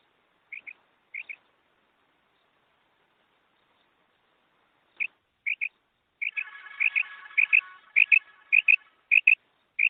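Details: Female quail sound for luring quail when hunting: high paired notes, a few scattered pairs, then a denser series, partly over a low buzzing hum in the middle.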